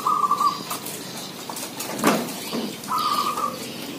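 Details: Zebra dove from a village with many doves calling: a short rattling coo-trill opens, and a second similar trill comes near three seconds. Scattered clicks and rustles fill the gap between the phrases.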